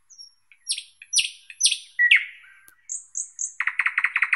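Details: Thrush nightingale phrase: strong, downslurred notes repeated in pairs, a rich slurred note, three clear high whistles, then a fast, even, rattling series of throaty clicks.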